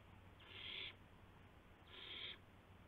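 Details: Owl on the night of April 7 2016, 12:25 AM, during a gopher delivery, gives two harsh hissing screeches roughly half a second long and a second apart, over a faint hum.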